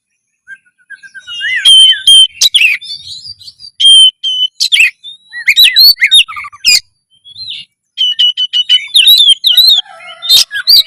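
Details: Vigorous, loud song of an Oriental magpie-robin aimed at raising breeding drive and fighting mood: steady whistled notes broken by sharp clicks and chattering bursts, in varied phrases with short pauses.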